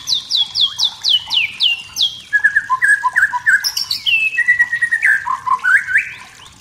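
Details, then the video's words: Forest shama singing in the wild to rile rivals: a series of about seven rapid descending whistled notes, then lower fluty phrases and chattering notes. "MURAI BATU HUTAN SEDANG BERNYANYI MEMANCING EMOSI"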